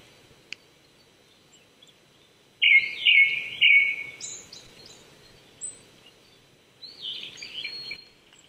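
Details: Japanese thrush singing in the Saitama Prefectural Forest, Chichibu, Japan, at 800 m on an April 2019 morning. After a quiet start, a burst of loud fluty, warbling notes, then fainter high bird calls.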